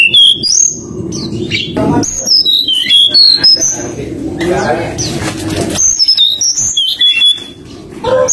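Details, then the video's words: Forktail calling to provoke a rival with fluting song, a string of high whistled notes that rise and fall, broken by a burst of rustling noise midway, over a low background rumble. "pancingan tledekan gunung nyuling memanggil lawan"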